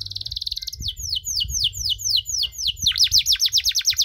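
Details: Canary singing a long-duration cengkok song meant to provoke other canaries: a high buzzy trill, then rapid downward-sweeping whistled notes, speeding into a quicker run of deep swooping notes near the end.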